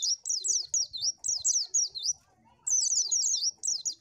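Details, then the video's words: High, sweet, rapidly chattering Oriental white-eye song in short looping bursts of wavering notes, several phrases broken by brief gaps, with a single sharp click early on. "SUARA BURUNG PLECI AMPUH !!!"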